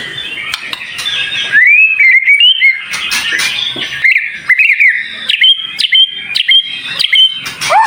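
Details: White-rumped shama song, a tutor recording with dense, sharp fills; bright upslurred whistles and short chips in quick varied sequence, with a soft background hiss.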